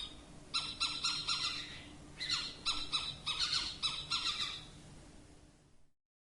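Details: Owl heard giving two short bursts of grating, rasping squawks, four or five notes each, separated by a pause. Calls fade out toward the end and the clip closes in silence.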